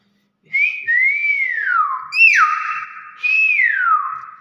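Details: Pet Nias hill myna gives a series of loud whistled phrases, each arching up and gliding down, with one abrupt high note snapping down to a long steady tone, roughly every second.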